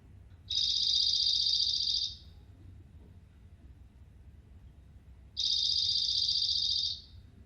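Dark-eyed Junco song: two dry, even trills on one high pitch, each about one and a half seconds long and about five seconds apart, like a ringing old telephone.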